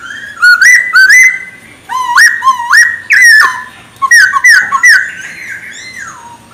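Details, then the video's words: Chinese hwamei in loud song used to provoke other birds: clear rising whistles repeated in pairs, then a run of quicker whistled and trilled notes ending in a long falling slur. "OCEHAN Poksay Hongkong Gacor Efektif Bikin Burung Kesayangan Bos q Ikut Emosi"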